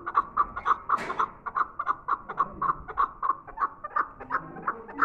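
Chukar partridge giving a rapid run of clucking chuk notes, about four per second, harsh and mid-pitched, with a brief rustle near the start.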